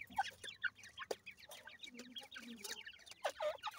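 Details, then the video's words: Irani teetar (francolin) chicks raised in captivity, a handful of thin, high chirps and peeps scattered through the clip, some louder single notes, with soft low clucking sounds and knocks. "irani teetar chicks growing day to day,pheasant chicks"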